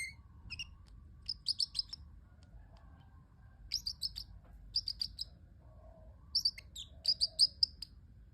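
A parrotlet gives bursts of short, high, sharp chirps in quick clusters, pausing between groups, over a faint low room hum.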